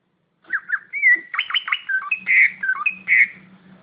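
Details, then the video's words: Greater green leafbird with competition-quality song, a varied, energetic phrase of looping whistles, sharp sweeping notes and rich warbled tones, delivered almost without pause, with a low rhythmic tapping underneath. "Kicauan suara cucak ijo Kualitas lomba"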